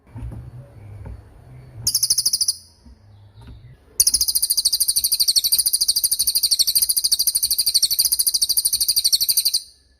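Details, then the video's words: Cililin song used to train songbirds, including young or moulting birds: a short high trill, then a long, fast, even-pulsed piercing trill of about five and a half seconds over faint low noise. "MASTERAN CILILIN || TAJAM DURASI PANJANG"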